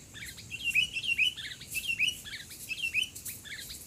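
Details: Sooty-headed bulbul (kutilang) being lured, singing loudly in a 'gacor' mental duel: a quick series of short, bright chirped notes, each slurred upward, repeated several times a second at moderate volume over faint background hiss.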